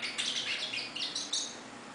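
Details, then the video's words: A free-living hooded siskin sings a rapid, twittering run of high, buzzy and sweet notes that tumble and warble continuously for two seconds. "CABECITA NEGRA"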